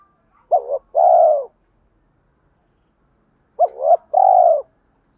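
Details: Spotted dove used to lure wild doves, cooing with a deep 'thổ' voice mixed with 'thúc' urging to provoke a fight. Two well-spaced phrases, three seconds apart, each a fluttering double note and then a long level coo, in quiet surroundings.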